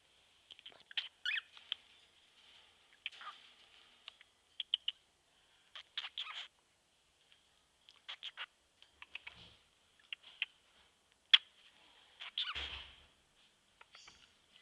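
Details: A male pet cockatiel, happy in the morning and trying to talk, gives short, scratchy chirps and squawks in irregular bursts.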